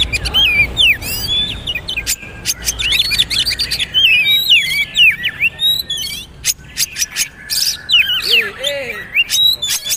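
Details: Magpie-robin singing for training young speckled birds to pick up new sounds: a long run of fast twisting whistles, chirps and sharp clicks, continuous with few breaks.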